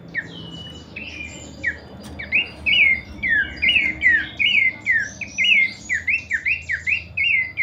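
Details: Pelanduk semak (Horsfield's babbler) in kleperan style, starting with a few scattered notes and building into a rapid chain of slurred, dropping whistles, roughly two per second, against a low steady hum.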